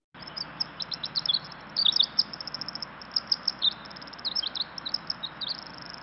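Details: Pacific Wren song: a long, tumbling cascade of very high, rapid tinkling trills and chips, pouring out almost without pause over a faint background hiss.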